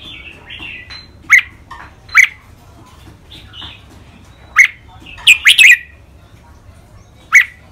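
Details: Two caged red-whiskered bulbuls giving training song, described with Thai style names rik, boen, lak wai, mae bot and nap dok. Sharp, short whistled notes are spaced irregularly, with a quick triple cluster near the end over faint twittering.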